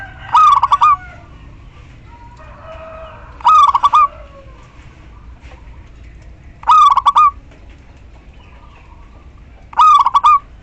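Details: Female local zebra dove calling to a male, recorded as a lure for males that have stopped singing: four stuttering coo phrases about three seconds apart, with faint chirps from other birds between them.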